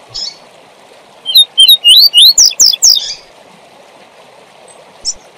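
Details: Tui tui zel zel song of a Double-collared seedeater, used to teach young birds: rapid high whistled upslurs that become harsher, buzzy descending notes, about eight notes in under two seconds, over constant stream-like background hiss.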